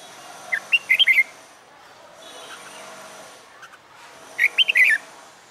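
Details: Red-whiskered bulbul held in a cage and trained to sing for fighting contests delivers two quick phrases of bright, warbling whistled notes about four seconds apart, with a quiet hiss between them.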